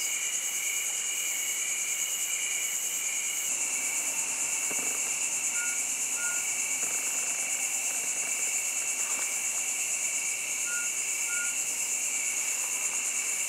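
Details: Mountain scops owl at Lansdowne, Uttarakhand, giving brief clear whistles in paired notes, one pair early and another about five seconds later, set against a dense, unbroken ringing insect chorus with faint low rumbling.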